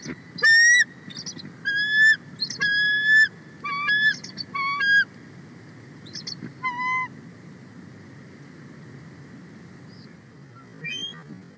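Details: On 31 March 2024, a nesting female bald eagle calls loudly and excitedly as a young sub-adult eagle flies near: a run of bright, high, stuttering whistled chirps in the first half, then scattered fainter notes and near quiet.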